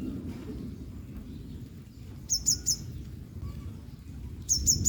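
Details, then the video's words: After a drenching rain, a female yellow-bellied sunbird preening dry utters two separate clusters of three shrill, high chips about two seconds apart, with low ambient rumble throughout. "sunbird calling"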